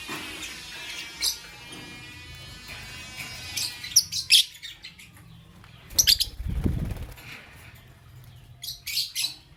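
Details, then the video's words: Lutino and blue opaline lovebirds chirping in the morning: clusters of sharp, high, clipped notes at roughly two-second gaps, with a dull thump and faint rustling between bursts. "Lovebird Singing & Chirping Sounds"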